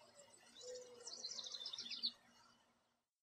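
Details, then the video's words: American goldfinch chirping in a backyard where flocks come to a thistle feeder. A quick burst of thin, high twittered notes rises in intensity, then ends abruptly into silence. "American Goldfinch Call, Song And Sounds"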